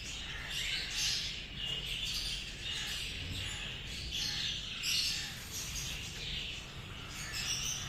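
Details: Cockatiels (Nymphicus hollandicus) chatter over one another in a steady stream of shrill chirps, whistles and scratchy squawks, with a low background rumble throughout.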